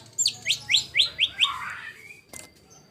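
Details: Master song of a white-rumped shama for training competition birds, 'tembakan kasar' style: six loud rising upslurred notes, then a softer descending slur and a faint click, over a low background hum.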